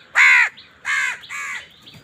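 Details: Crow fighting for food gives three loud, harsh, drawn-out caws about half a second each. Faint thin calls sound between them.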